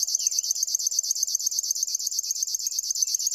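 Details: High, dry, cricket-like pulsing from a River warbler, steadily repeated around eleven times a second, with faint thin whistles from other birds underneath.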